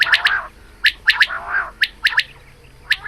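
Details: Female quail morning call, recorded for hunting: a few crisp, high clicking notes in twos and threes with a short grating rasp between them, then spaced single pips.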